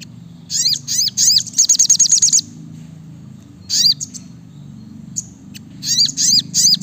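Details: Brown-throated sunbird, locally sriganti or sogok ontong, singing vigorously in the rapid 'nembak rapat' style: high, sharp chirps in quick bursts, then a fast run of about ten even notes, pauses, then more chirp groups over a steady low hum.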